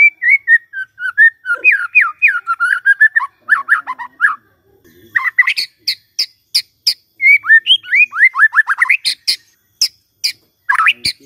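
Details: White-rumped shama in full song as a morning trigger for a silent shama: a long, varied run of slurred whistles and warbles broken by sharp, high clicking notes.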